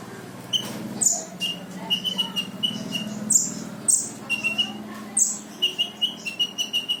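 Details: Brown-throated sunbird singing a lively 'full tembakan' song meant to provoke silent sunbirds into singing: sharp high chirps and short steady whistled notes in quick, irregular bursts, with a low background hum throughout.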